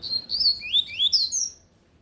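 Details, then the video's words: A lined seedeater sings forcefully in Tui Tui style, a quick chain of high slurred whistles, some rising, some dipping, lasting about one and a half seconds before stopping. "Coleiro de gola Tui Tui cantando forte"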